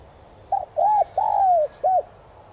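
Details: Spotted dove decoy cooing in the standard 'son' voice style to stir wild doves: a short stuttered double note, an arched coo, a long drawn-out falling coo, then one short arched note, over quiet background hiss.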